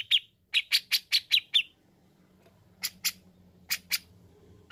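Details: Chatty grey-cheeked bulbul used as therapy for untrained birds: a series of seven harsh buzzy notes, a pause over low hum, then two separated pairs of rasping notes.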